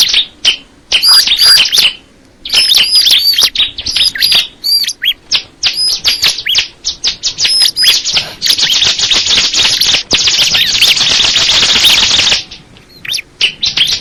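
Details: Crystal ciblek (bar-winged prinia) with long strings of fast high chirps and whistled notes in bursts, then several seconds of steady hissing, rushing noise before short chirps return.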